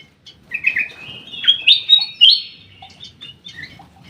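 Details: Black-crested bulbul kept in an aviary, singing a clear, liquid run of whistled notes that rise and fall through the middle of the clip, with faint chirps from other birds in the background.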